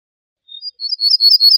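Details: Ortolan bunting song from a bird-sound CD: a faint thin whistle, then a rapidly repeated string of high, bright, ringing notes that keeps going to the end, with no background noise.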